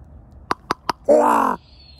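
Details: Kept common raven on a frosty morning: three quick hollow knocks followed by a single loud, raspy, half-second gwah.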